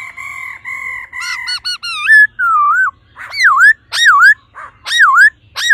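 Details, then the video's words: Female laughingthrush giving its 'ro ro' call to stimulate the male: long steady whistled tones, then a series of loud swooping notes that dip and rise, repeated roughly every second. "khướu mái ro ro kích trống nhanh căng lửa"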